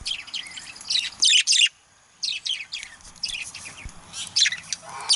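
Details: Male budgerigar giving scratchy, high warbling chatter in irregular bursts, with a short silent gap and faint background noise.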